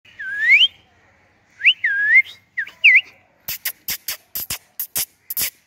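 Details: Pet ringneck parrot perched on a stem gives three groups of looping whistled notes that dip then rise sharply, followed by a series of about ten sharp, dry clicks in quick succession.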